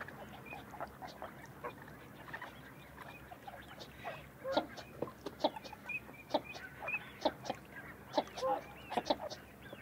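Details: Northern shoveler: a loose series of short, hard clucking notes in irregular bursts that grow louder and busier halfway through, with a few thin higher whistles in the background.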